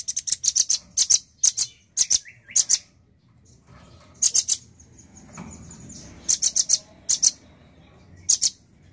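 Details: Energetic male nuthatch: rapid strings of hard, high clicking notes in dense clusters, a pause with a faint thin tone, then more paired and tripled chips.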